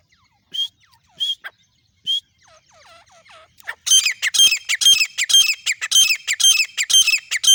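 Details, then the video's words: Female grey francolin calling non-stop in Pakistan or India: a few separate shrill notes, then a rapid series of loud, ringing, high whistled calls repeated about twice a second. "teeter sound teeter Shikar non stop calling female sound"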